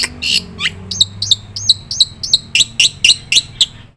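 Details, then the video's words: Black-winged myna singing, meant for lure and master training of birds: a few buzzy notes, then a steady series of bright, hooked chirps about four per second, with low hum behind. "suara burung jalak putih gacor full isian PATEN untuk pancingan dan masteran"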